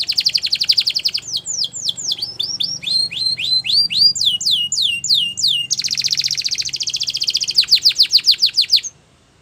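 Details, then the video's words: Canary song for training young canaries: a fast buzzy trill, then strings of rising whistled notes and downward sweeps, a dense rattling roll, and a closing run of rapid repeated sweeping notes before it stops abruptly. "Canary Singing In The Wild | The Best Canary Training"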